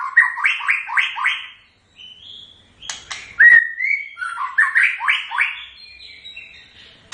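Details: White-rumped shama giving its typical song: rich whistled phrases, a run of rapid falling slurred notes, a pause, then a long rising whistle and further quick repeated figures, loud and clear against a quiet background.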